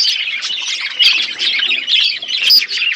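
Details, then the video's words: Budgies chirp steadily as they eat, a flock of pet birds producing unbroken high warbling chatter with scratchy squawks layered over one another. "Beautiful budgies chirping sounds birds eating food"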